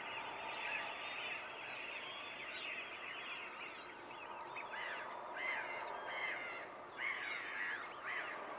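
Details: Group of whooper swans calling at Nosterfield, 28 February 2015, captured on a Panasonic GX7: steady overlapping trumpeting honks with clear harmonics, many birds at once, sharper individual notes standing out in the second half.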